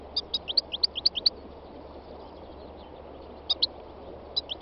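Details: Three-year-old North African goldfinch, Carduelis carduelis, on a spring day in the north-west mountains of Tunisia: a quick run of high, clipped twittering notes, a pause of two seconds, then short bursts of similar chirps.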